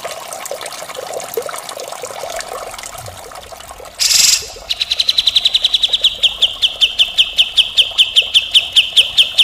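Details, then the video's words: Grey-cheeked bulbul (cucak jenggot) singing nonstop in the harsh, rasping style called mbeset kasar. Soft scattered notes give way to a loud buzzy burst, then a long, fast trill of sharp high notes about six per second. "masteran cucak jenggot gacor full mbeset kasar"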